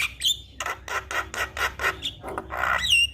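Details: Javan myna singing in full to prompt a silent myna to start singing: harsh, rasping notes repeated about every quarter second, broken by a few brief high whistled slurs at the start and end.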